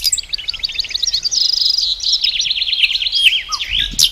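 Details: Hybrid European goldfinch singing a fast, high liquid twitter that runs into a series of rolling, wavering trilled notes with a sharp final flourish.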